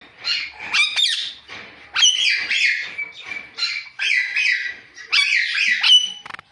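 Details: Ringneck talking parrot giving natural chirps: harsh, buzzy squawks and sharp screechy notes in bursts about a second apart, some with thin whistled overtones, with brief quiet gaps between volleys.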